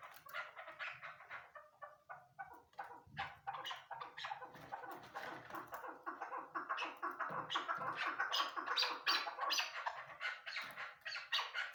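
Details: A female Chukar partridge gives a long, dense series of rapid, rasping chuck notes that build in loudness and run almost continuously with only tiny gaps.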